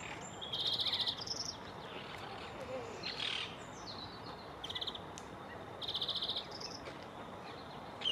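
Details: A male European greenfinch gives its twittering song, not the wheezing one: bursts of fast, high trills, four phrases over eight seconds, with a steady background hiss.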